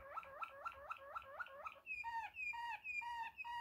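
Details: Waterslager canary in the klokkende (clucking) tour: a run of quick rising liquid notes, about four per second, then a switch to lower, rounder, bell-like notes repeated at a slower pace.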